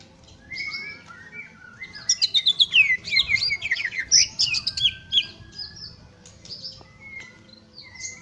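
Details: Greater green leafbird song: varied, high, whistled and slurred phrases with rapid rising and falling notes, the busiest stretch in the middle, then scattered single notes.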